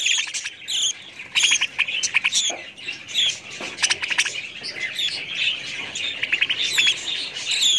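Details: Budgerigar chatter of rapid clicking chirps and thin high warbles, steady and overlapping throughout.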